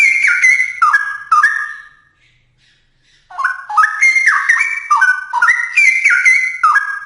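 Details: A straw-headed bulbul delivers loud, fluty warbling: a few high whistles fading out, a silent pause, then a long run of rollicking notes jumping up and down in pitch.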